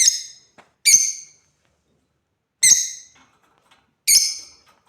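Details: Shrill, rasping chirps from an African lovebird at play, four strong calls spaced one to one and a half seconds apart with faint clicks between.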